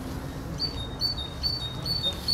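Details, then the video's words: Great tit singing: a faint run of two-note phrases, a high note then a slightly lower one, repeated about every half second over a low background rumble. "Sikorka Bogatka i jej piękny śpiew"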